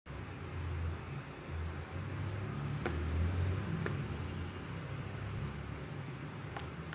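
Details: Indoors, a fan or air-conditioner hum drones throughout, broken by a few sharp clicks and no audible birdsong.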